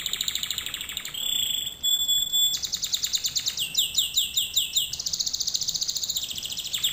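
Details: Singing canary, a training lesson for canaries: long sustained whistled tone, then rolling trills of quick repeated notes that change tempo and pitch in segments, continuous and bright.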